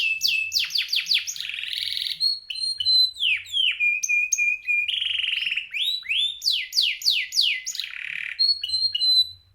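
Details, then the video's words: Singing male canary with competition-grade song: fast runs of steep descending notes alternate with sustained buzzy trills and steady whistled tones, phrases changing every second or two across nearly ten seconds of continuous song. "burung kenari jantan gacor juara dunia"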